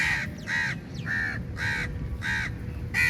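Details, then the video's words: Crows massing on food at feeding time, calling very loudly; five harsh caws at uneven half-second to one-second gaps, over steady low background noise. "Very Large Number Of Crows Attack On The Food | Crow Feed Time | Crow Sounds Very Loudly"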